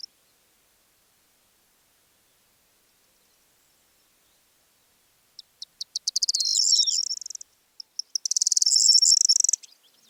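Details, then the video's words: Corn Buntings singing as the ever-present backdrop to larks near Divnoye, Manych steppe, north Stavropol, early morning 21 April 2024: an unvirtuosic song, twice, of a few dry ticks that speed into a high, jangling chirr like shaken keys. "Песня просянок не отличается виртуозностью."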